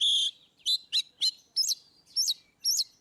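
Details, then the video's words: Oriental magpie-robin giving ngeplong song, intended to prompt birds that rarely sing: a buzzy opening note, then loud separate phrases of sharp chips and rising-falling whistles, roughly every half second. "Kacer ngeplong"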